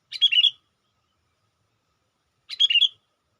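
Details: Lure call of a sooty-headed bulbul for attracting wild birds. Two brief, bubbly, chortling phrases of rapid chirps sit about two and a half seconds apart. The background is otherwise quiet.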